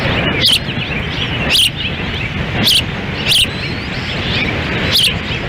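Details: June 10, 2017, at an osprey nest in Lolo, Montana: a hard feeding in the wind, with the female feeding and the male standing by. Five high, bright chirps sound over rushing wind.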